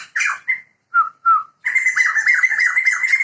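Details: Pair of Sumatran white-crested laughingthrushes (Garrulax bicolor), male and female, a protected Sumatran endemic: four short separate squawky notes, then a sudden burst of loud, rapid cackling chatter that runs on without pause.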